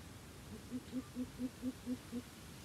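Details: Coucal quarrelling and fighting with a decoy bird: a run of seven deep, hollow hoots, evenly spaced about four per second and rising then falling slightly in loudness, over a steady low background hum.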